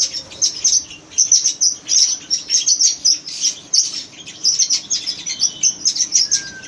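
Red-rumped parrots chirp in a steady stream of high, sharp, overlapping notes, several birds calling at once with barely a pause.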